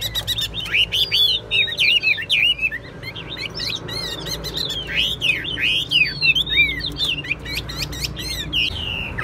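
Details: Chinese hwamei kept caged in Vietnam for singing and fighting, performing lively, rapid song of looping and down-slurred whistles in irregular bursts with short pauses, clear and loud above faint steady low hum.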